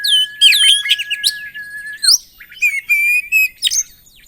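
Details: Oriental magpie-robin singing hard with filler phrases meant to provoke other kacer: a long steady whistle held for two seconds under quick looping chirps, then buzzy rattles and short bright whistles.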